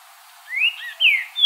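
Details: Singing green-winged saltator in the wild: a clear whistle rising steadily, a brief lower twist, then a loud bright whistle falling away, and a further high whistle starting at the end.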